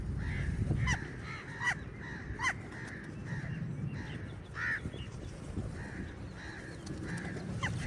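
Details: Crows in a large group fighting eagles for food give harsh, hoarse caws, several overlapping and repeated irregularly, over a low murmuring background.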